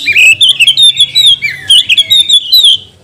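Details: Magpie-robin singing as a lure to stir other magpie-robins into song: a rapid, loud run of high whistled notes, some sliding up and down, delivered almost without pause over a faint low hum.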